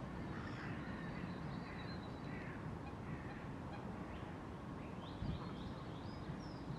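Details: Courting pair of great crested grebes, reunited and busy nest building: scattered short, grating calls early on, then thinner, higher squeaky notes near the end, all against constant low-pitched background rumble.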